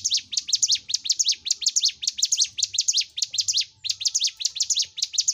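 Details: Bar-winged prinia singing in 'gacor' style as a recording for stimulating caged birds: energetic bursts of thin, high, downward-sweeping chirps, a brief break just before four seconds, then the same rapid pattern.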